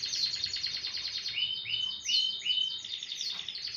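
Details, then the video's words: Canary singing in the morning: fast, high, buzzy trills, then a string of quick downward-sliding whistled notes repeated about three times a second. "اجمل صوت للكناري"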